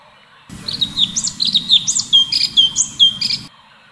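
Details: Cucak cungkok, the Orange-bellied Leafbird, in full 'tembakan' song. Clear high whistles and swooping slurred notes follow each other briskly for about three seconds against a faint low rumble.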